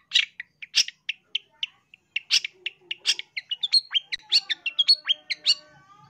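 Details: Loud, vigorous long-tailed shrike song used for training birds: a series of harsh chattering notes that speeds into a varied run of chirps and clear falling whistles.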